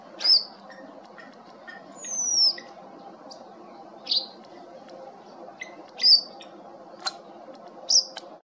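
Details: Cape wagtail at Ogies, Mpumalanga, South Africa, captured on a Nikon P1000: a string of sharp, high whistled notes and falling slurs, spaced about a second apart, with a soft murmur of low background noise.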